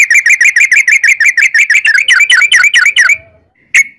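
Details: Yellow-vented bulbul giving a long rapid trill used as a lure for other birds: fast chattering whistled notes repeated about three per second for three seconds, then a pause and one sharp note.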